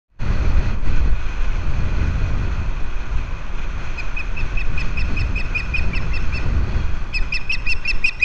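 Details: Osprey pair at a rebuilt nest on Captiva, February 11, 2023, the male bringing fish to the female. After steady wind rumble, a run of sharp, high chirps begins midway and grows louder near the end.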